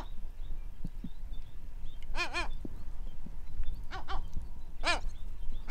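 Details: Pacific Gull in Western Australia giving short, deep, nasal calls, first as a quick pair, then a few more spaced notes, over a steady low rumble of wind or surf.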